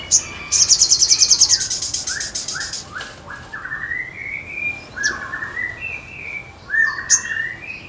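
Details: A crested jay sings energetically, opening with a sharp click and a quick dry rattle of about fifteen pulses, then a chain of rising whistled notes repeated about twice a second, with occasional clicks.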